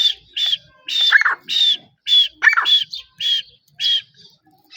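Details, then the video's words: Grey francolin (teetar) calling in natural surroundings: loud, harsh, ringing notes repeated in quick rhythmic bursts, roughly two per second, with a few lower, rougher notes mixed in. "Most beautiful teetar voice"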